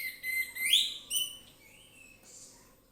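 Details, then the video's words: Orange-headed thrush singing relaxed and loud, a lure song to set other birds singing: clear whistled notes around a steady mid pitch, then sweeping higher slurred whistles and a brief buzzy flourish, ending in a soft falling whistle. "ANIS MERAH NGEPLONG SANTAI,PANCINGAN ANIS MERAH AUTO BUNYI"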